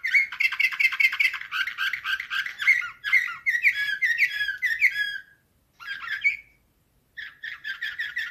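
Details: Canary singing in the Slavujar, nightingale-style, song from 2024: dense rapid trills and warbled rolls, bright and metallic, broken by two short pauses before the rolling phrases resume.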